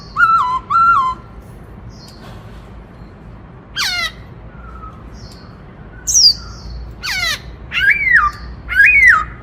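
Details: White-browed laughingthrush singing in the 'bắt cô trói cột' song style: loud, harsh, strongly harmonic notes, some short and repeated, others sliding down then swooping up, in bursts separated by pauses.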